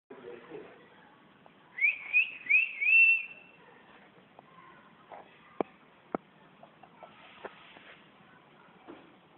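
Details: A pair of yellow canaries: three quick, bright rising whistled notes in a row, followed by a couple of sharp knocks and faint room noise.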